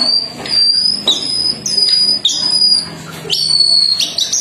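A jongkangan sings long, steady, high whistles, each held about half a second and broken by quick sharp chips, repeated in a steady run.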